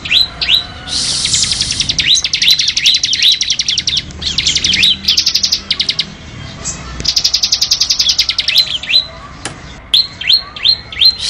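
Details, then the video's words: Ciblek, the Bar-winged prinia, singing for masteran: bursts of fast high ticking trills alternate with bright upslurred chirps, the notes tumbling out about two to three per second, with a faint low background hum. "SUARA BURUNG CIBLEK UNTUK MASTERAN FULL DURASI"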